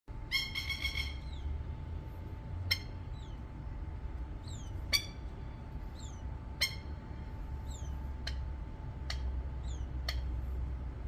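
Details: Baby plover in Australia, a chick ignoring its mother: sharp, high clicking or ticking calls repeated every one to two seconds, with one brief rapid series near the start, over steady low background rumble and a faint constant tone.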